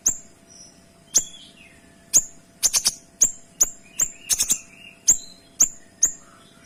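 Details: Kinoy song packed with clear, tightly spaced shot notes: a steady stream of sharp high ticks, some single, some in rapid bursts of three or four, mixed with brief descending whistles.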